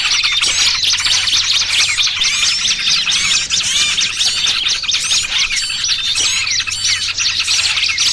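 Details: Small birds used as a lure for trapping, a busy mixed twitter: piercing high chirps, trills and slurred whistles overlap continuously, fairly loud, over a faint low hum.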